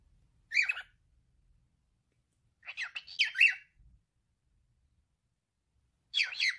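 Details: A male cockatiel chatters imitated words: one short raspy syllable, then a longer burst of several rough, wavering speech-like notes, then another short phrase after a silent pause.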